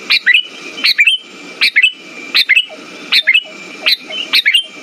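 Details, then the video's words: Lure song of a sooty-headed bulbul for getting silent birds to sing: lively doubled chirps and short warbling twists, bright and loud, repeating about every 0.8 seconds, with a faint constant tone underneath. "Pancingan burung kutilang macet"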